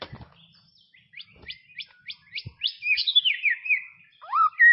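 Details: White-rumped shama from tropical forest, a row of short rising chirps speeding up into a tumbling warbled phrase, then a final upward whistle.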